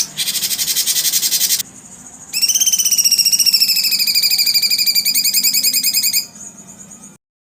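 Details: Cucak cungkok trilling: after a dense high buzzing burst, a long rapid run of pulsed, rattling notes for about four seconds, slightly descending, then fading out.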